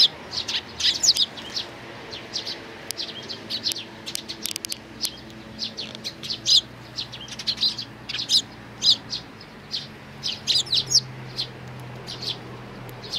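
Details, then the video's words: Sparrow chicks with their parents, 11 May 2019: steady stream of short, high, sharp chirps repeated irregularly through the whole recording, several birds calling over a faint low background hum. "可愛いすずめ達 20190511 5（雛鳥親子がやって来た）"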